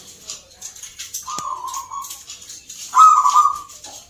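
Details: Local zebra doves (perkutut) at a singing contest for the Mentaraman rhythm style in Yogyakarta, Indonesia: two trilled, level coo phrases near the middle and end, over a background of high, busy chirping from other birds.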